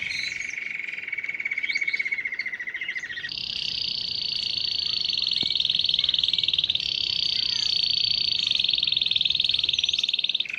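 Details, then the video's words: Canary singing to attract wild canaries, goldfinches and other birds, holding a low rolling trill before jumping to a higher, sustained buzzy trill, with scattered chirps from other birds. "شاهد تغريد كناري رائع جذب عشرات طيور ألكناري وألحسون وأنواع بريه مختلفه"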